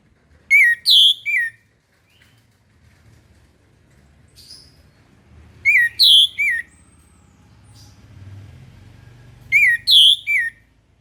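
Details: Orange-headed thrush singing in the morning, with loud whistled phrases of quick slurred notes repeated about every four to five seconds over a low steady background hum.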